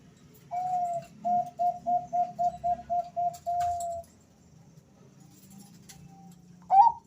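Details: Male zebra dove of the Bangkok type, one of two answering each other in a lure recording. About ten short evenly spaced coos end in a longer held note, then a pause before another bird's rising note.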